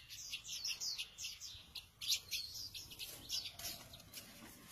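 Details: High twittering from a free-ranging pet flycatcher: rapid, sharp chirps and short trills in irregular bursts, bright and thin, over a low steady hiss.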